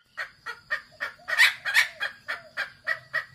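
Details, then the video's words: Red junglefowl (kasintu) calls used as a lure for wild junglefowl: rapid clucking notes about four per second, uneven, rising louder mid-clip, with a steady high thin tone throughout. "suara pancingan ayam hutan ORI KASINTU"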